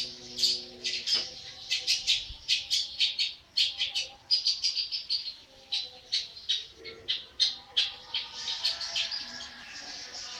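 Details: Long-tailed shrike, a young bird only 80 days old, delivering a long, busy song of rapid scratchy chips and squawky high notes, sharp bursts following one another with brief gaps.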